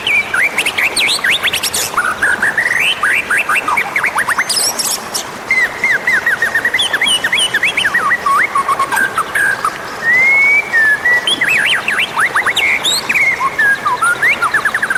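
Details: Oriental magpie-robin song used as a caller to lure wild magpie-robins: continuous, busy phrases of sharp upslurred chips, clear whistles and rapid twitters, loud and varied throughout, with brief pauses.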